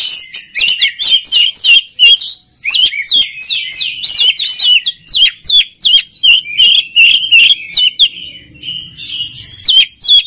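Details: Oriental magpie-robin song for training other birds: rapid, varied high phrases of chips, whistles and harsh notes delivered in quick bursts with short gaps.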